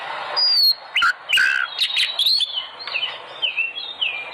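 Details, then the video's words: Oriental magpie-robin song used to stimulate kept birds to sing: high drawn-out whistles, downslurred phrases and short warbled notes, moderately paced. "pancingan burung Kacer agar gacor"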